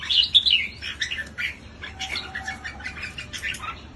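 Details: Red-whiskered bulbul delivering rapid chattering, whistled notes in clustered bursts, a strong warble at the opening followed by softer broken phrases, with a faint low tone briefly in the background.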